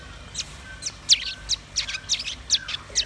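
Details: Velvet-fronted nuthatch and white-rumped shama singing: bright, sharp downslurred high chirps repeated about every third of a second, with softer fluttering notes between and a faint lower whistle.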